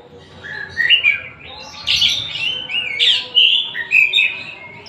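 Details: A Tasik oriental magpie-robin sings a varied stream of whistled, rising notes broken by a few rough, buzzy squeaks.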